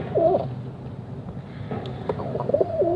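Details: A pigeon gives a low bubbling coo, then falls quiet for about a second and a half, then gives two more rolling, slightly descending coos against faint low hum.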